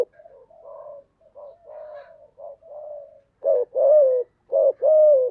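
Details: Spotted dove song for training newly caught doves to sing: softer murmured coos at first, then two louder paired coos, short note followed by a longer drawn coo.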